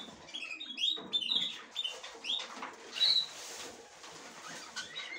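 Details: A budgerigar female exploring a nest for the first time, attempting to enter; clustered bright chirps and short warbled notes, several in quick succession, then a louder squeak and quieter calls, over soft rustling.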